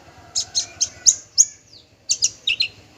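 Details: Brief burst from a male parva bushlark: a run of five quick, high, buzzy chips, a downslurred note, a pause, then four more rapid high notes over a low background hum.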